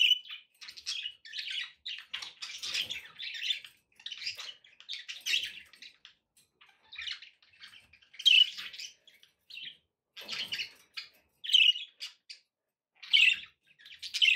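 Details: Budgies kept as pets chatter steadily in long scratchy warbles, with sharper squeaky notes rising above at intervals.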